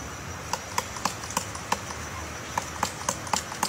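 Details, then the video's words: Woodpecker making a nest, hammering at wood: sharp separate knocks about every quarter to half second, irregular, with a short gap midway; steady background hiss. "woodpecker making nest"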